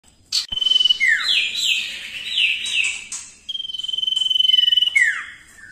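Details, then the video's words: Common Iora in lively song, used as a tutor recording for training other songbirds: long level whistles alternating with quick runs of downslurred whistled notes, with sharp clicks and knocks between phrases. "cipoh gacor ampuh untuk masteran"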